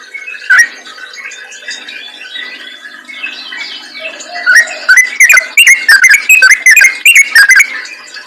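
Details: Yellow-vented bulbul song used as a lure for others of its kind. One loud whistle, then a few quiet seconds of faint warbling, then a sudden burst of rapid, loud whistled chirps and slurs.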